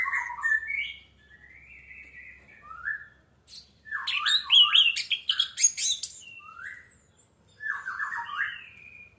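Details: Orange-headed thrush lure recording to encourage singing: drawn-out slurred whistles, then a dense burst of harsh, mixed chattering notes, followed by more falling whistled phrases.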